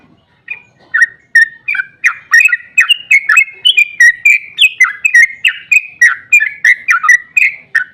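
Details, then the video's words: Long rolling song of a sooty-headed bulbul (trucukan), used to prompt other bulbuls into singing: quick succession of clear, bubbly whistled notes, rising and falling, delivered without pause on a clean background. "Trucukan GACOR ROPEL PANJANG EMOSI buat pancingan trucuk agar cepat bunyi JADIKAN burung NYAUT giras"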